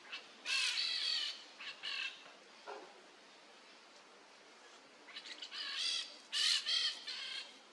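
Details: Peach-fronted parakeet (Eupsittula aurea), Brazil, perched on top of a tree, giving harsh, grating screeches in short bursts, a cluster at the start and another about five seconds in, over faint background hiss.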